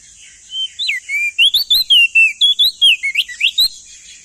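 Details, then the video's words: Male crested white-eye of East Nusa Tenggara singing a loud, clear tutor phrase: about a dozen rapid whistled notes, each swooping up or down, delivered in a steady three-second burst over a faint background hiss. "Masteran Burung Opior Jambul Muda Biar Cepat Gacor Rajin Bunyi Siang Malam"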